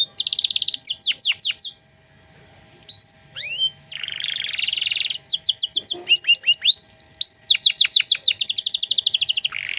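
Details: Tutor recording of a canary in vigorous 'gacor' song, 'cengkok mewah' style. Quick descending sweeps, a pause, a few rising whistles, a raspy buzz, then a long stretch of fast repeated chirped phrases.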